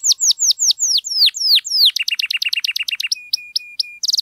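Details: Canary in strong song, used as a lure so silent canaries respond: slow repeated falling whistles, a fast clipped chip series, several flat pure whistles, and a closing burst of buzzy trill.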